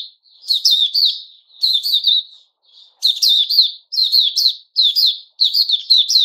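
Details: A white-rumped shama giving its opening song on 29 August 2021: rich, high whistled phrases in quick bursts of under a second, with brief pauses between them and no other sounds.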